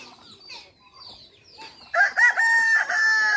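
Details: Turkeys on a farm near Sangrampur station in Kolkata. Faint scattered chirps are followed by a sudden loud run of harmonic, slightly wavering calls that lasts over a second and repeats in quick succession.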